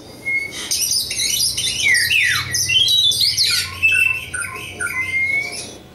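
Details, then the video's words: Oriental magpie-robin, local East Java type, in a continuous rich song of rapid slurred whistles, falling sweeps and buzzy notes, ending on a long thin rising whistle, steady low hum behind. "kacer lokal jawa timur"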